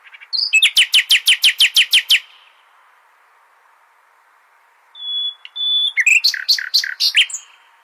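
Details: Common nightingale song aimed at teaching goldfinches: a fast rattle of sharp repeated notes lasting nearly two seconds, a long pause, a level whistle, then another rapid burst of notes.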